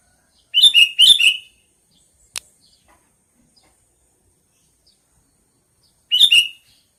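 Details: Two quick bubbly chattering bursts from a sooty-headed bulbul, a sharp click, then a further burst about five seconds later.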